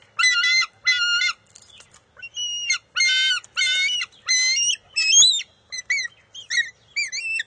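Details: Bald eagle eaglet at the NCTC nest on June 23, 2021, refusing to share a fish its mother grabs, then stealing it back; loud, squealing, harmonic-rich calls in bursts, some long and steady, later ones shorter and upslurred, with uneven gaps.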